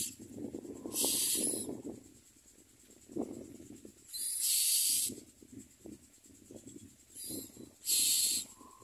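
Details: Common myna nestlings, hungry, producing bursts of harsh hissing begging about every three seconds, with quieter low background sounds between bursts.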